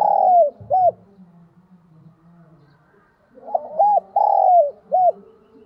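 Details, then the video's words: Spotted dove used as a decoy, cooing its full song to lure wild doves. A phrase ends early on, and a second follows about three seconds later: stuttered notes, a long sliding coo and a short arched note. A faint steady low hum runs throughout. "Chim Cu Mồi thúc Gù Gáy Gọi Đủ Bài Bổi Nghe Là Gáy + Về Cội"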